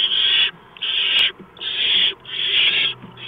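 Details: At the nest before dawn on 6 March 2015, 4:26 AM, a barn owl delivers a mouse; four long, rasping hiss-screeches, each near half a second or more, separated by brief pauses.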